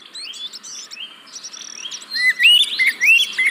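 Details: Oriental magpie-robin song as a lure for caged birds reluctant to sing: soft jumbled chirps at first, then louder looping whistled notes rising and falling in quick succession.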